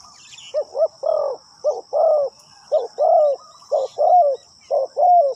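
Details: Spotted dove used as a decoy, cooing to call in wild birds: a steady series of short, mellow, hollow coos rising and falling, about one per second, with a thin constant high whine throughout.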